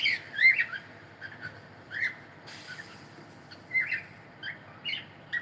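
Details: Male cockatiel singing: a string of short, bright chirped whistles, some rising and some falling, in loose bursts roughly every half to one second, over a quiet background.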